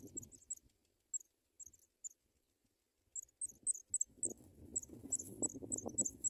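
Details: Young African pipits in a nest, fed white butterflies by the adults: high, thin peeping notes in broken groups, growing steady in the second half over loud scuffling and rustling movement.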